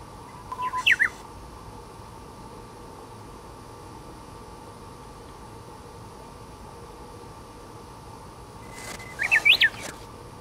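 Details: Japanese bush warbler (uguisu), a secretive bird, singing from the tip of a dead branch: two songs about eight seconds apart, each a steady low whistle followed by a quick rising-and-falling warbled flourish, with a faint steady background hum.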